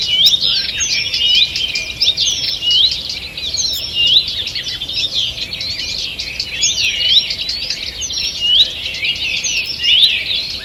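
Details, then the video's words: Wild birds in a morning forest, 2 June 2023, singing together: continuous high chattering chirps and short trilled phrases from several birds, fairly even in loudness. "Утреннее пение птиц"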